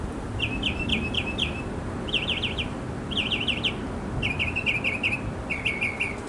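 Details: A male mockingbird sings in a backyard to win a female: bursts of rapid trilled and zigzagging notes, each phrase repeated in groups about a second long, switching type every few phrases, over constant low background noise.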